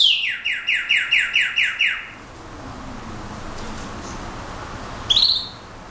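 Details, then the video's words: Brown-backed solitaire delivering a quick series of about eight similar descending whistled notes over two seconds, evenly paced, then a pause and a single short high note near the end. "myadestes unicolor (clarin)"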